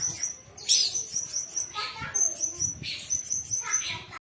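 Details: Young songbird fit for singing contests gives a long, steady high whistle interrupted by scratchy chattering bursts roughly every second, with faint low thumps in the background.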